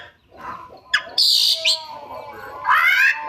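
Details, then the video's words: A songbird gives a harsh, high buzzy burst, a short sliding note, then a rich rasping rising phrase, over faint background noise. "Suara Kacer Gacor Rajin Bongkar Isian"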